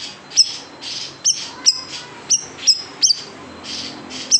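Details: Large siri-siri bird, 'tembakan pedas' song meant for teaching caged songbirds: a handful of sharp, high, downslurred chirps spaced irregularly, separated by soft hissy gaps.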